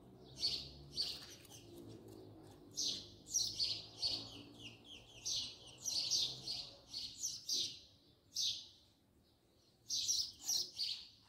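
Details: House sparrow recorded at close range: a steady run of sharp, high chirps in quick bursts, some doubled, with pauses around eight seconds and a low hum underneath.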